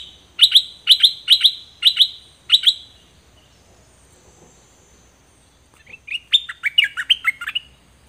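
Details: Dok Taeng birds, two individuals, recorded in 2020 for teaching young birds to sing along: five sharp, bright chirped notes in quick succession, a pause, then a rapid run of high twittering notes.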